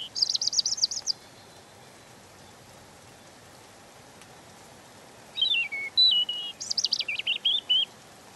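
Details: European robin song in two bursts: a brief shimmering high trill, then after a long pause a varied phrase of descending slurred whistles and fluttering high notes.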